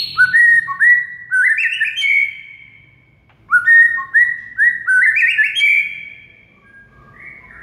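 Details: Two loud whistled phrases from a white-rumped shama, used as a master track for getting quiet shamas to sing, each a run of stepped, rising fluty notes, separated by a brief silence.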